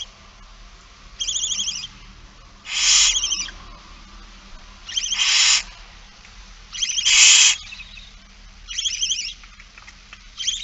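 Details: Barn owls at feeding time on 8 September 2019 at 16:02. Harsh, hissing screeches about half a second long come roughly every two seconds. Some carry faint tonal bands, and the louder bursts alternate with softer ones.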